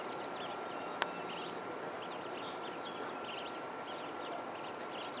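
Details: Young ducks on a pond keep up a soft chatter of high peeps, broken by one sharp click near the start, over a faint constant hum.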